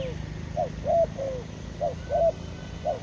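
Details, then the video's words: Dove near a forest trap: a quick chain of soft coos, some short and arched, others longer and sliding downward, about six notes in three seconds. "Good Trap Forest Doves"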